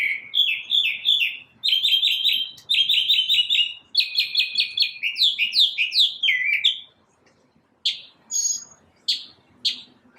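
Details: A single bird singing in the morning: rapid runs of bright downslurred notes around the upper-middle pitch, repeated in fast bursts, then a pause and a few scattered sharp chips, with a quiet background.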